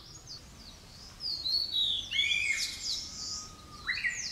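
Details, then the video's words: Blue-and-white flycatcher, a summer breeding visitor to Japan: a varied series of clear, high whistled notes, some sliding downward and others overlapping, followed by a long, steady lower whistle that ends with an abrupt upward jump, over faint background hiss. "Blue-and-White Flycatcher _ Call"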